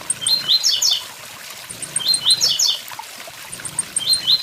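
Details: Short high-pitched phrases of a blue-black grassquit, its 'tui tui zel zel' song, delivered in quick buzzy bursts about twice a second apart, with a waterfall roaring steadily behind.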